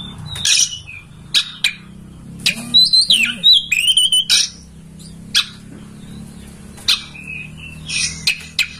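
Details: Master song of an oriental magpie-robin, used at home to coax a caged bird into spreading its tail and singing. Loud clear whistles and twisting warbled phrases alternate with sharp clipped notes over a faint low hum.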